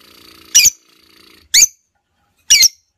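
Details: Female lovebird, caged, calling to prompt another lovebird to sing: three sharp, harsh squawking chirps about one second apart, with a faint low hum between them.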